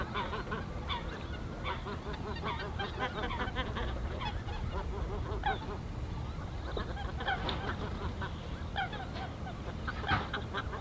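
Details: Greater white-fronted geese in a large flock, Ahsewiesen nature reserve, Germany, mid-February afternoon; busy overlapping chorus of squeaky, laughing honks, thinning briefly around the middle before rising again.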